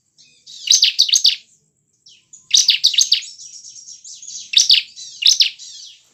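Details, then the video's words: Song of a bar-winged prinia, or ciblek, played to stimulate caged birds into singing: repeated high, rapid chattering bursts with thin trilling between them. "Gunakan pancingan ciblek ini agar ciblek gacor dengan cepat"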